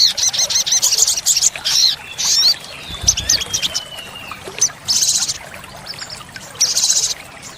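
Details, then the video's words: Olive-backed sunbird song: very high, thin, buzzy trilled bursts about every second or two, with sharp sweeping notes between them and a faint trickling background. "Pancingan & Masteran sogok ontong (sogon) Full Isian Tembakan | Olive-backed Sunbird Bird sound"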